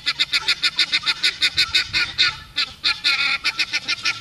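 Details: Pearl guineafowl on a sunny day making a loud racket of harsh, rasping notes repeated rapidly, about four per second, nearly continuous with overlapping callers.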